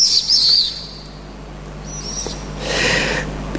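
A swift gives a few shrill, thin, high screams in the opening second, played back indoors over a low hum, followed by a brief burst of rustling noise.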